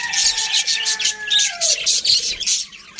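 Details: Budgerigars, several birds, giving rapid scratchy high chirps in quick bursts, with a faint steady lower whistling tone sliding downward partway through.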